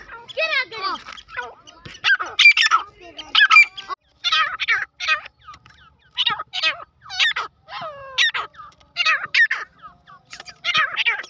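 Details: Grey francolin, known locally as dakni or irani teetar, giving loud, harsh, ringing call phrases in rapid bursts about once a second. Each burst holds several quick rising and falling notes with short silent gaps between them.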